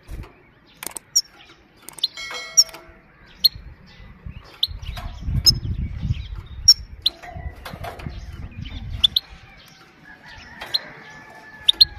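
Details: Sparse high 'pit' calls of a female goldfinch, meant to excite males and teach young goldfinches, single and paired sharp chips scattered among faint rustling and a brief buzzy burst.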